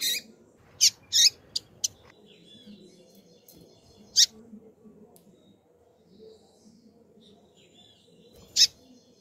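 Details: A calling female double-collared seedeater sends out a rapid burst of thin, high chirps, then isolated single chips several seconds apart, against a faint low hum.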